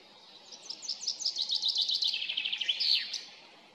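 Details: Male common chaffinch singing in early spring in a forest at Sesvete on 16 March 2020, proving himself to other males after feeding; a bright trill of rapid notes descending in pitch, ending in a sharp flourish, about two and a half seconds long.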